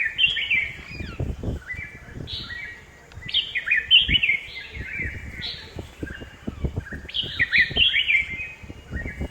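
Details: Red-whiskered bulbul in a home garden, Hosur: clear, loud whistled phrases of three or four slurred notes with quick upward and downward sweeps, given in bursts separated by short pauses; faint low rumble behind.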